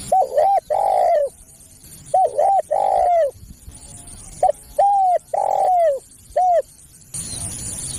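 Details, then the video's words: Lure call of a spotted dove: clean phrases of two short coos followed by a long, falling coo and a final short note, given twice, then the clip ends in hiss. "SUARA PEMANGGIL BURUNG TEKUKUR"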